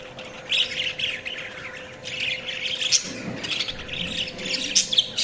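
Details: Softer budgie chatter of scratchy high chirps and squawks comes in uneven bursts over a constant low hum, with a muffled low sound midway.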